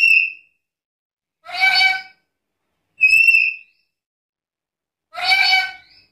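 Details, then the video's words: Black-capped lory singing a varied repertoire: two bright, level whistles, each paired with a rasping, harsh screech, with roughly a second of silence between calls. "Suara burung nuri kepala hitam gacor isian komplit"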